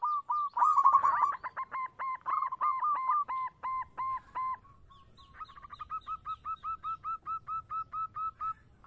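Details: Local zebra dove singing actively, used to lure other doves. An opening rolling flourish gives way to long, regular runs of short cooing notes, repeated about four times per second.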